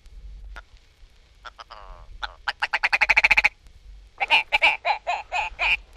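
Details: Willow Ptarmigan from a 1961 guide to eastern and central North American bird songs, giving harsh, nasal, rattling notes, first scattered, then two fast stuttering bursts of about a dozen croaks each, against a faint low hum.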